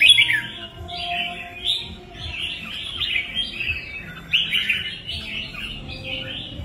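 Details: Red-whiskered bulbul singing a continuous, bubbly warble of rapid slurred phrases with no real pauses, over a steady low hum.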